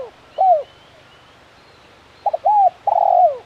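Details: Spotted dove (tekukur) in crisp 'kuk 1' form: a single falling coo, a long pause, then two stuttered short notes, an arched coo and a long rough coo that slides downward.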